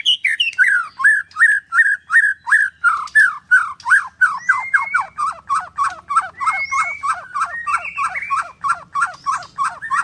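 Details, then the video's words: White-rumped shama at a bird farm in Kendal repeating a short downslurred whistle roughly three times a second for ten seconds, with occasional longer thin whistles laid over it. "Murai batu nembak sebelah mati"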